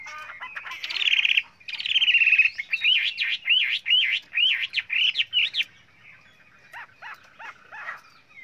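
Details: Varied song of a Chinese hwamei: two long, harsh, rich notes, then a fast string of rising and falling whistled phrases, fading into sparse quiet chips.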